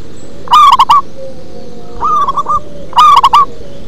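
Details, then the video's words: Local zebra dove singing in the deep 'ngebas' style: loud bursts of three or four quick rolling coos, answered by a fainter similar phrase, the pattern repeating roughly every two and a half seconds over a low background hum. "Perkutut lokal manggung ngebas"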